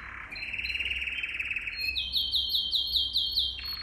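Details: Training song for young canaries: a lower rattling trill held for over a second, then a switch to a high, evenly spaced run of sharp repeated notes, with a faint low hum underneath.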